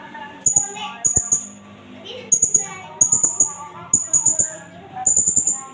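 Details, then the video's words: Blue-crowned hanging parrot from Indonesia, used as a trapping lure and tutor sound. Repeated short strings of thin, very high chipping notes, roughly every second, over a low mosque loudspeaker voice. "burung serindit . nembak-nembak nakal . pancingan & masteran"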